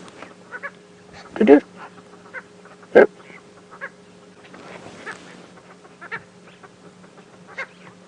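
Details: A purple roller perched on a branch on a morning safari drive on 14 July 2016, being harassed by lilac-breasted rollers, gives two loud, harsh, grating squawks about a second and a half apart, over engine hum and quiet talk.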